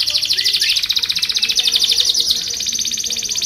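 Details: Canary song for training and luring other canaries, here a sustained, very rapid rolling trill, buzzy and even, held for the full few seconds.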